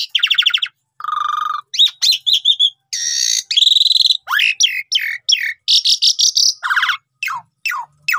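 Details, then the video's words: Asian pied starling song used as a lure to get caged birds singing, with harsh buzzy bursts, falling whistled notes, nasal trills and sharp chirp phrases following one another with short pauses. "Pundung Langsung Respon Gacor Dengan Pancingan Jalak Suren Ini"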